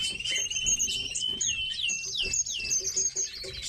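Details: Tits in captivity giving quick high, sliding twitters and repeated downward-swept chirps over a steady thin whistle, with faint low knocks underneath.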